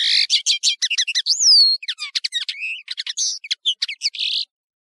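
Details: European serin, called nino in Algeria and kamatcho in Morocco, delivering a continuous high, rapid jingling song of chirps, buzzes and a clear slurred whistle, recorded for teaching young birds.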